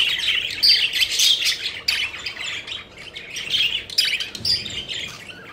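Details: Playful pet budgerigars flying about, chirping in quick, scratchy runs about twice a second, with loud bursts separated by brief lulls.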